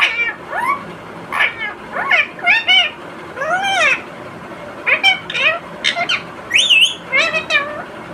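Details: Pet Indian ring-necked parrot talking nonstop while eating a tomato: a string of harmonic, speech-like mimicked phrases with rising and falling inflections, interspersed with short higher squeaky notes.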